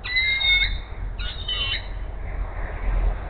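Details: Bald eagle mother at the Hays nest calling for food as her mate brings a rat: two drawn-out, high squealing notes with bending harmonics, then quieter background hiss and low rumble.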